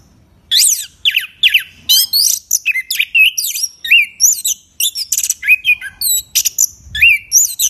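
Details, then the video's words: Orange-headed thrush, a prize-winning caged bird that once won the President's Cup in Yogyakarta, singing a loud varied song of sharp whistled notes and rapid sweeping phrases in quick bursts with short pauses. "Anis Kembang Gacor Ngeplong ISTIMEWA"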